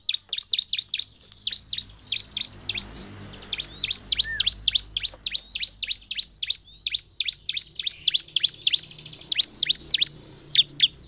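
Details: Bar-winged prinia (ciblek) song used to provoke other prinias: rapid, sharp high chips in long bursts, a quieter interlude with a faint slurred note, then the fast chipping resumes.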